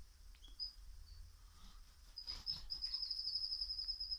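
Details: Canary singing a loud aria: high thin whistled notes, then from about two and a half seconds a sustained rapid trill held near one pitch to the end, with faint background noise.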